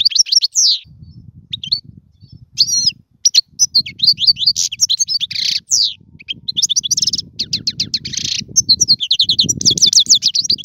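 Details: Dense European goldfinch song for training young birds to sing: tumbling high chirps and trills packed closely, with a steady low background rumble throughout.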